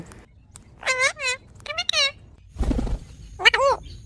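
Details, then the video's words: Pet parrot talking: a few short, high, wavering speech-like syllables with bending harmonics, broken by pauses and a brief burst of noise near the middle. "Parrot Speaking and Talking"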